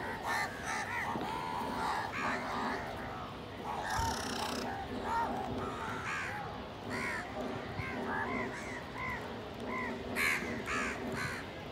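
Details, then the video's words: Crows feeding together alongside pigeons, competing for food, giving repeated hoarse caws that overlap among several birds, over a dense, noisy background of constant broadband sound. "Crow ki awaz naturally"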